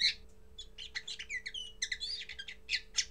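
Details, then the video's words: A common linnet's first singing. Quieter scratchy chirps and brief whistled slurs are strung together in an uneven twittering phrase, over a low constant hum. "Первое пение коноплянки"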